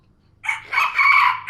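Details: Sumatran red junglefowl, tethered on the ground at a farm with perches provided, crowing: a short harsh crow with a rising opening note then a sustained buzzy middle, about one second long, over quiet background.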